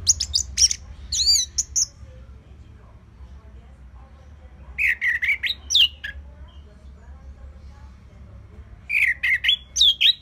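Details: Orange-headed thrush song, used to coax other birds to sing: a few high chips and a twirled note, then two separate bursts of rapid downslurred whistles, each ending in a rising flourish, several seconds apart.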